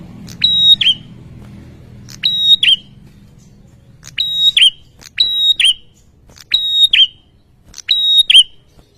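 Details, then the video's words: Loud insistent song from a male bar-winged prinia, used to make opponents answer quickly. High level whistles with clicking starts and dipping ends arrive in pairs about every two seconds, low hum fading away midway. "SUARA PRENJAK JANTAN GACOR NGOTOT BIKIN LAWAN CEPAT NYAUT"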